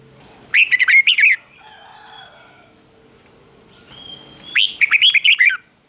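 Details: Ché-style fighting song of a red-whiskered bulbul meant to excite rivals into singing: two bursts of fast, clipped, warbling notes about four seconds apart, with faint softer tones in the gap.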